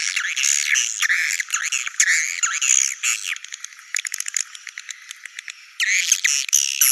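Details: Swiftlet lure recording, used to attract swiftlets to nest sites: high, buzzy twittering and dry rattling chatters in rapid bursts, several each second, with brief pauses between bouts.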